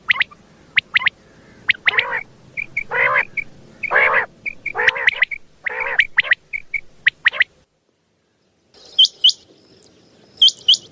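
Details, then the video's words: Common quail at night, recorded for luring quail during hunting in Pakistan: rough, nasal growling notes mixed with crisp short whistled pips in pairs and triplets. A brief silence, then fainter high squeaky notes at the end. "Raat Ka Batair |Hunting | की आवाज़ | Bildirçin səsi"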